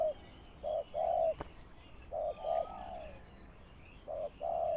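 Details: Spotted dove kept as a lure bird for trapping, calling with soft, low, paired coos separated by quiet gaps, with a single sharp click between phrases and faint higher chirps in the background.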